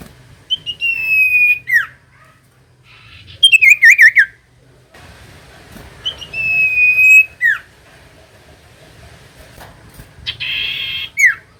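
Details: Common iora song used to provoke silent birds into singing: long, level whistles ending in a sharp downward slur, repeated in separate phrases a few seconds apart, with a brief buzzy burst near the end over faint hum.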